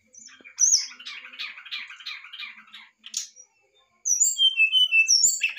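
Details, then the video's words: Brown-chested jungle flycatcher song: a run of rapid, scratchy chattering notes, then a varied series of clear, high, sweet whistles. "sikatan rimba dada coklat nyuling variasi"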